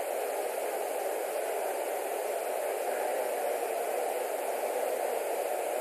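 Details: Only a steady, even hiss of static and noise runs throughout, with no animal call heard.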